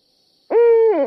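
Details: A single Barred Owl, responding to calls, gives a strong, steady, slightly nasal hoot that swoops up, holds level, then slurs downward at the end, over a faint steady hum.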